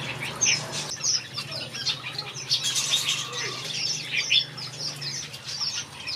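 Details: A backyard aviary of finches fills with dense, high twittering and chirping, with wing flutters among the calls and a steady low hum underneath.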